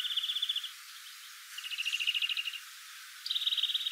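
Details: European greenfinch, a garden bird, sings canary-like: three bursts of rapid, buzzy twittering trills around a steady high pitch, the last starting with a brief higher note.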